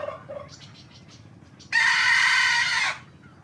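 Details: One young hybrid Indian junglefowl gives a morning crow, a single loud, coarse, sustained note lasting about a second. A few softer calls come before it.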